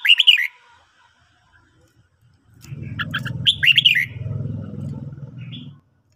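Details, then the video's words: Red-whiskered bulbul singing in the morning, used for song training: two short, bright warbled phrases of rising and falling whistles about three seconds apart. A low rumbling hum runs underneath the second phrase. "luyện chào mào hót buổi sáng"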